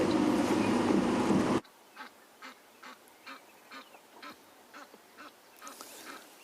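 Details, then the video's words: Very agitated Egyptian goose, upset while swimming at a small waterhole, its partner also upset and calling at it, cause unclear, on an April 13 sunrise safari: short, hoarse honking calls about three a second, after a loud noise burst. "so we have not found Kula and her Cubs but we have found a very agitated Egyptian goose"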